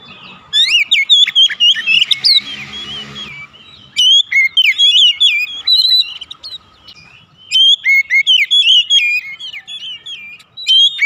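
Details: Oriental magpie-robin kept at home, song meant to prompt other birds to sing: repeated bursts of loud, sharp whistled phrases with fast frequency sweeps, pauses between bouts, a short hiss near the start.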